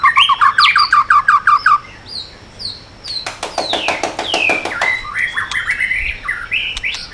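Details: White-rumped shama singing to provoke other birds: a quick series of about ten even, repeated chirps, then a rapid rasping burst and sweeping descending whistles.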